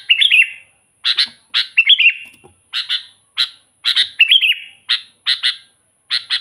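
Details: Sooty-headed bulbul in full lively voice, used as a lure for wild birds: a busy string of bright chirps and fluty, rolling slurred phrases coming almost without pause, some notes doubled, over a thin steady high hiss.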